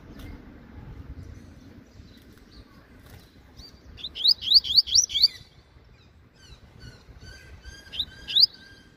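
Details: Caged rusty-collared seedeater, a promising male singing a half-song style, sunbathing in the morning: quiet opening, then a fast burst of high rising-falling whistled notes repeated about five times, a pause, and another shorter burst.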